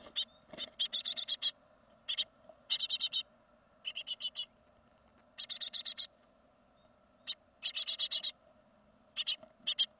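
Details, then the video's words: Great tit fledging from a second-brood nest in 2016: repeated high, dry rattling bursts of rapid ticks, each burst lasting under a second, coming in quick irregular succession with short gaps, faint low hum beneath. "Széncinege másodköltés kirepülés 2016."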